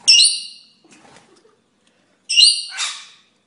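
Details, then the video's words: A rainbow lorikeet gives two loud, harsh, high-pitched screeches about two seconds apart, the second ending in a rough grating burst. "RAINBOW LORIKEET PARROT"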